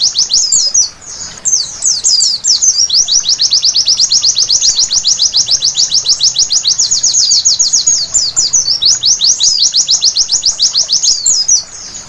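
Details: Night-time white-eye song used as a therapy to set birds singing: after a brief pause, a long, dense run of high, down-slurred whistles about four a second, broken by a few twittery jumbled phrases, with quiet hiss beneath.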